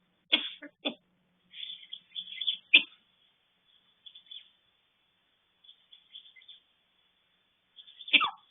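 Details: Eclectus parrot imitating the cough of a person with a cold: several short, harsh, broadband cough-like bursts spaced over eight seconds, with soft high chattering and squeaky notes between them.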